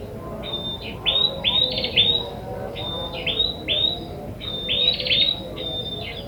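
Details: Trapping lure of a wild ashy tailorbird: high trilled and whistled notes in short clusters, repeated roughly every second, with a steady low droning hum behind them.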